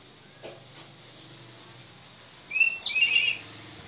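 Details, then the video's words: Kacer, or Oriental magpie-robin, delivering one short, bright, slurred phrase after nearly three seconds of quiet background hiss and faint low hum. "suara burung kacer"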